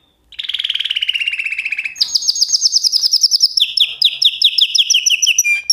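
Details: Canary singing: a fast rattling trill of rapid notes gliding slightly downward, then a higher run of quick repeated chirps, shifting into a lower series of clipped, evenly spaced syllables; no other sounds.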